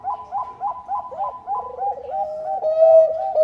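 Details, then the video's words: Bangkok-type zebra dove in lively song, meant to coax other doves into singing: a run of short hooked coo notes about four per second, then a purring trill leading into a long steady cooing phrase. "PANCINGAN PERKUTUT BANGKOK GACOR - PERKUTUT MALAS PUN IKUT BUNYI"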